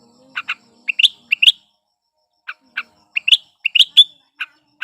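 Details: Sooty-headed bulbul singing in breeding condition, meant to prompt non-singing bulbuls: crisp short chirps in pairs and small groups with brief pauses, some ending in an upward slurred whistle, clean quiet background.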